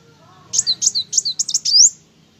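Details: Sunbird known locally as kolibri wulung giving a brief, energetic phrase: about seven sharp, high chirps in quick succession ending in a longer upward-sweeping whistle, over a soft low background hum.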